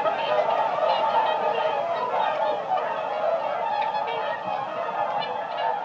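A flock of whooper swans giving a dense, overlapping chorus of bugling, trumpet-like honks, about two calls a second, with no other sounds.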